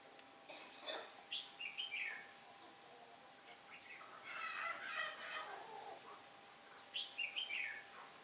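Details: Red-whiskered bulbul decoy singing a competitive song to lure wild birds toward a trap on a windy-turning day, 15 October 2017; bright warbled phrases at start and end, a noisy rustling burst between.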